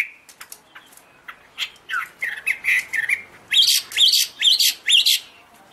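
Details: Chinese hwamei singing high, pure notes while waving wings and fanning its tail; soft scattered notes build into loud rising whistles and a string of strong, evenly spaced phrases.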